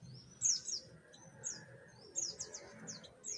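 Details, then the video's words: An orange-headed thrush sings in full open "ngeplong" style, bright, high, fast phrases of slurred whistles and sharp chips in short bursts, with a faint low rumble behind. "Anis merah ngeplong"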